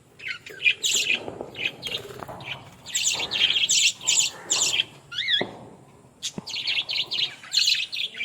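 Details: Several Australian parrots chattering with clusters of sharp, high chirps and squawks. One whistled note wavers up and down midway through, followed by a short lull before the chatter resumes.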